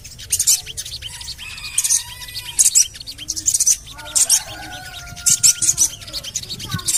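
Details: Javan cochoa lure call to get birds singing: loud bursts of sharp, very high 'cuit' chirps repeated in clusters about every second, with faint thin sustained whistles beneath.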